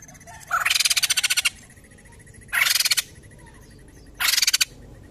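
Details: Three loud, raspy, pulsed chatter bursts roughly two seconds apart from a white-crested laughingthrush (poksay jambul), with a faint steady rattle in between.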